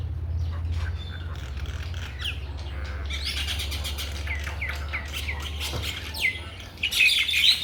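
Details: Chattering mynas, recorded in a Bangladeshi village, start faint over a steady low hum. Harsh squawks and whistles swell after a few seconds and grow loudest near the end.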